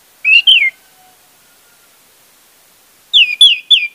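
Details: Orange-headed thrush song used as a lure to get a silent bird singing: two clear whistled phrases with downward slurs, then a pause and a quicker run of three whistled notes, sliding between high and middle pitch.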